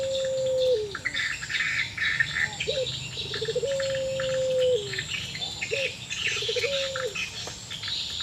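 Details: Pelung-type Barbary dove, in breeding condition or sorrowful, answering another dove again and again. It gives long, even, hollow coos that drop at the end, with short rising notes in between. Other birds chirp busily behind.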